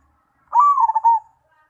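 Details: Song of a Mojopahit zebra dove: one clean phrase that opens with a sustained coo and flows into a trilled, stuttering run of soft cooing notes, ending on a longer note, in near silence.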